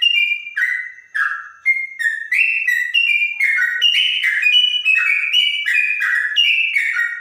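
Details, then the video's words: A trotok, said to sound like a straw-headed bulbul, delivers a long series of clear whistled notes, each phrase sliding down then up, building into a dense, rapid, melodious stream. "Burung trotok bonang suara bening rasa cucak rowo"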